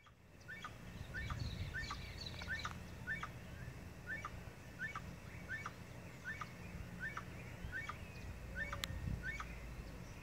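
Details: Crested guan at Arenal Springs, Costa Rica, recorded on a cell phone through a spotting scope: short, sharp notes repeated roughly twice a second over a steady low rumble of background noise.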